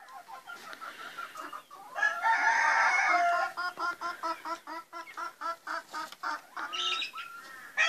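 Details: Rooster separated from the hens, calling on its daily visit to them: a loud rough crow, then a steady series of short clucks about twice a second, against a noisy background.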